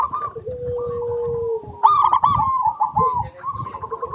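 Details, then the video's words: Zebra dove of local stock singing in a recording meant to draw song from other doves: a long steady tone, then a loud burst of staccato coos trailing into a rolling, purring trill, with soft thumping below. "PERKUTUT LOKAL GACOR PALING DISUKAI 🐦 Suara Asli Bikin Semua Perkutut Dimanapun Pasti Nyaut"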